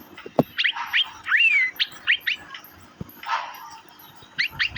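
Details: Asian fairy-bluebird (cucak biru) with rapid rising chirps, one long slurred whistle that climbs then levels off, a softer rushing patch midway and a few sharp clicks.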